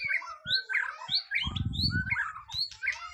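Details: White-rumped shama at its first mental test, pouring out fast whistled and chattering phrases while a short burst of low rumbling noise passes midway.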